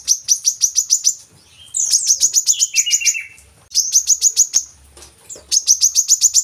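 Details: Brown-throated sunbird recorded as a singing lure for captive birds: bouts of rapid metallic chirps broken by descending lower twitters and short pauses, repeated several times.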